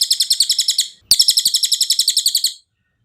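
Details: Cililin singing on a training recording meant for tutoring cage birds: fast, high, metallic pulsed trills in two bursts split by a brief pause, the second burst running about a second and a half.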